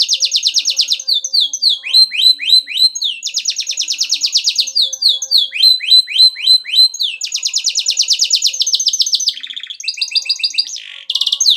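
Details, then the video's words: Canary singing vigorously: high, rapid trills of repeated notes, alternating between fast buzzy rolls and slightly slower descending chirp series, shifting phrase every second or two, with no other sounds. "burung kenari gacor"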